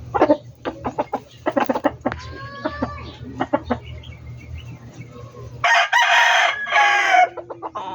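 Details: Backyard chickens with a string of short, sharp clucks and cackles, then a loud, harsh rooster crow near the end.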